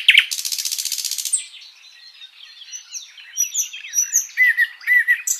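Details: Sikatan londo flycatcher, recorded as master song material for pet birds. Opens with a fast buzzy rattle, then soft high whistles and repeated looping chirps.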